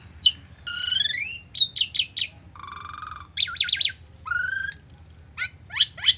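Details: Lure song of an agitated Asian pied starling, full of fill-ins: a short chip, rich harmonic whistles, quick chattering notes, a buzzy held tone, then a high pure whistle and sharp falling chips.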